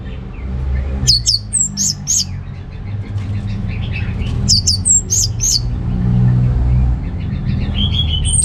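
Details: Orange-headed thrush, known locally as anis merah, from Singaraja in North Bali, singing in energetic gacor style to stir males lacking breeding drive: two bursts of high chirps and upslurred whistles over a steady low engine-like rumble.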